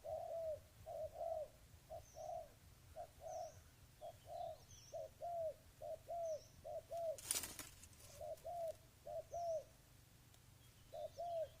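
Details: Dove cooing repeatedly, low arched notes in short-long pairs over about eleven seconds, interrupted by a loud rustling burst; faint high chirps from other birds in the distance.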